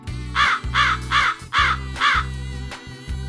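A crow gives five harsh, hoarse caws in a quick run, about two or three a second, over steady background music.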